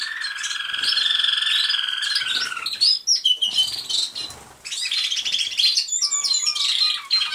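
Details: A registered male American Singer canary with a poorly healed broken wing sings like a Roller canary, a long warbling song of sustained rolls and high flutes. Quicker chirpy notes may be another unregistered American Singer male singing in the pauses.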